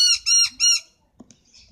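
Three loud, harsh squawking notes in quick succession from a noisy miner, each nasal and rich in overtones, followed by a faint click and soft background sounds.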